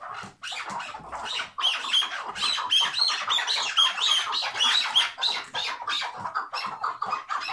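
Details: Hıngırma call of a kept chukar partridge, a dense stream of scratchy, chuckling clucks delivered fast and fairly steadily, about three and a half per second, loud and harsh with thin squeaky overtones throughout.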